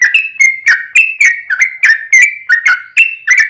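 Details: Yellow-vented bulbul in vigorous ropel panjang song used to coax other bulbuls into singing; clear slurred whistles about three per second, alternating higher flat notes with lower bent ones.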